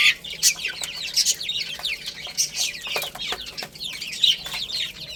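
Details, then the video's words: Chicks busy eating and playing produce bursts of shrill, slurred peeps. Louder peaks of cheeping rise and fall among overlapping calls, with sharp clicks in between. "Cute Little Chicks Chirping Sounds"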